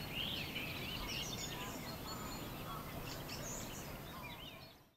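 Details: Ducklings on the Leine river near Koldingen in June 2015, giving thin, high, wavering peeps in quick irregular succession over a steady broadband rush of water and wind.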